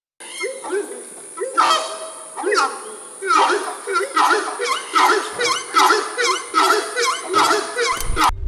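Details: Horned Screamer of South American swamps, whose very loud call carries far, giving a series of about ten harsh, honking notes, each dipping then rising, roughly once a second, over a steady background hum.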